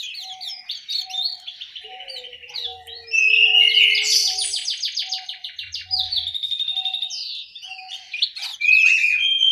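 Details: Caged orange-headed thrush in an aviary in Malang, East Java, singing long varied phrases of rapid high chattering notes and clear whistles. A soft, steady, lower pip repeats about every second in the background.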